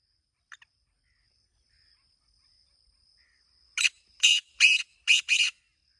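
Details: After a faint brief note, a black francolin bursts into five harsh, grating notes in rapid sequence, backed by a thin steady high whine.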